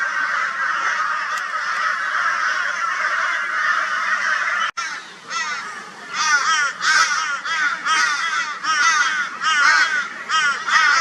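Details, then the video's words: Crows in Brisbane, Australia, on 22 February 2022, a flock joining forces to mob a barn owl; after a steady blurred chorus, loud raucous arched caws burst out in ragged overlapping bouts. "Crow Reacts to Barn Owl with High Volume Raucous Noise"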